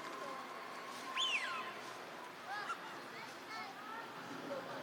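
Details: Eurasian wigeon, a wintering wild duck in a park pond at Junsai-ike Ryokuchi, Chiba, Japan, March 2025: a loud rising-then-falling whistle, followed by fainter short whistled notes from other ducks amid quiet background hiss.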